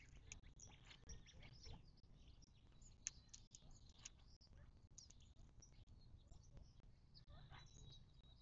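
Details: Birds calling at a watering hole in the western Mojave Desert, southern California, not far from Joshua Tree National Park: many quick, sharp chirps and tweets scattered throughout from several callers, over a constant low background rumble.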